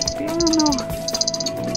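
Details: A common cuckoo chick in a makeshift nest at Frabosa gives rapid bursts of thin, high, hissing notes in quick runs. A steady electrical hum and a brief human voice sound underneath.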